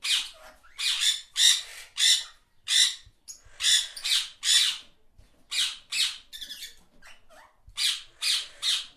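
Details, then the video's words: Talking parrots, yellow pet birds, produce a steady string of loud, grating squawks, roughly one every half second, broken by short pauses, with a thinner, more tonal call partway through. "talking parrots"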